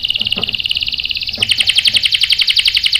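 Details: Canary song used as a lure to provoke other canaries into answering with sharp rolls: a fast, even buzzy trill repeated almost four times a second, shifting at mid-point into a brighter, higher trill, with faint low knocks beneath.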